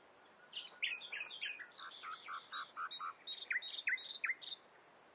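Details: Common nightingale singing a song said to borrow the voices of many birds: a thin high whistle, then jumbled chirps and buzzy notes, ending in several loud downward-swooping whistles over a background hiss.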